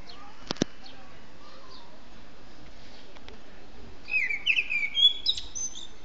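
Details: Wild songbird singing at liberty: after a quiet start with a couple of sharp clicks, a quick burst of bright, twittering whistled notes with rising and falling slurs fills the final two seconds over steady background hiss.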